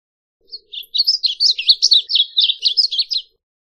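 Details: Varied bunting song: a quick, warbled run of sweet, varied chirped notes, mostly high and fast with rapid up-and-down slurs, lasting under three seconds; faint low murmur in the background.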